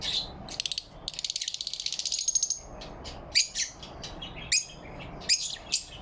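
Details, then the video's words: Happy lovebirds in the morning light, November 4, 2023: an opening stretch of fast, buzzing pulsed trill, followed by separate sharp, high chirps with short pauses. "In the morning light, love birds chirp happily"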